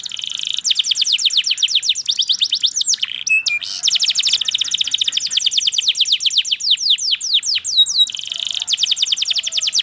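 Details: Long canary song of rapid, even trills of downward chirps, interrupted once by a short burst of sharp notes and a few whistles before the trill resumes.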